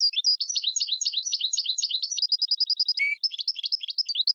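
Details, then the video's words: Tutor song from a goldfinch × red canary hybrid: quick, tumbling twittered syllables, a brief even trill, one low whistled note, then more bubbling chirps. "GOLDFINCH x RED CANARY (Hybrid Bird) The Best Teacher for Training"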